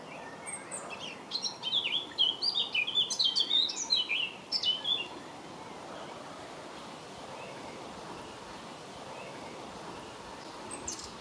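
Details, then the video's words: Eurasian blackcap singing in May 2018, a rich burst of fluting, varied whistled notes lasting about three seconds, then steady background hiss with no further song. "Blackcap Song"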